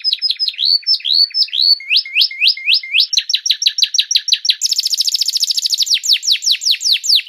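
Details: Master canary song for tutoring songbirds, with repeated tours: looping rising whistles, clusters of rapid falling notes, a sustained high rattle, then evenly spaced descending swoops. Nothing else audible.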